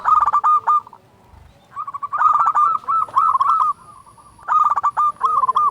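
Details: Local zebra dove singing loudly, used to spark song and breeding mood in other doves: almost continuous series of fast, rolling, trilled coos, with only a brief pause near the start.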